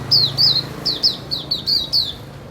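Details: White-eye (pleci) at a terrace in Indonesia, kept by a songbird hobbyist: eight high, thin notes, each sliding down sharply, given in quick succession about every quarter second, clear over a faint low hum.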